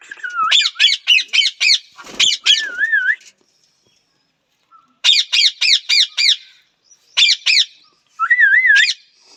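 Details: Rapid runs of harsh, buzzy parrot squawks, five or six in a row, broken by a pause and interspersed with wavy rising-and-falling whistles.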